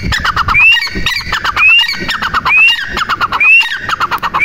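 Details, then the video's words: Harsh clicking runs, each ending in a clear rising whistle, come from a female grey francolin. The pattern repeats about once every second. "Teetar Ki Awaz female"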